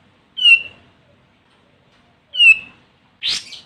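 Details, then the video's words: Olive-winged bulbul (Pycnonotus plumosus) gives two bright, slightly falling whistled notes two seconds apart, then a brief harsh, scratchy burst; a call used to lure and challenge rival birds. "Suara Burung Kapas Tembak Manggil Lawan"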